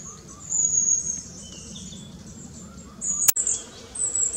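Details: Young long-tailed tit newly fledged, moving constantly through tall and low trees while feeding; thin, very high drawn-out notes, one near the start and a cluster near the end, broken by a sharp click.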